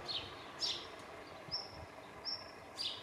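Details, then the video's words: A male black redstart calls from the tip of a branch on a pruned tree, giving thin, high whistled notes, about five spaced unevenly over three seconds, over a low background rumble. "Rougeuqueue noir qui crie"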